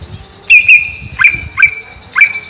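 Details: Greater green leafbird kept in a cage over a pond, livelier there than elsewhere, repeats sharp upswept whistled notes about every half second, each ending in a level tone, against a steady high hum.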